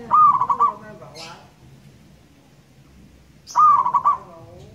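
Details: Loud, long song of a local zebra dove from Indonesia: two ringing coo phrases, each a short rolling series of pulsed notes, spaced about three and a half seconds apart, with quiet background between.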